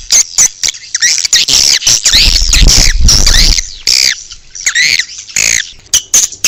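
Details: Outdoor swiftlet calling sound meant for drawing in swiftlets; shrill twittering chirps overlap in dense clusters, broken by short sharp clicks and brief gaps.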